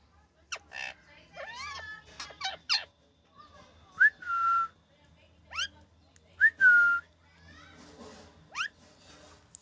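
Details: A happy pet rescue ringneck parakeet gives a lively run of chirps, clicks and rising squeaks, with two drawn-out whistles held near the middle, in a quiet indoor setting.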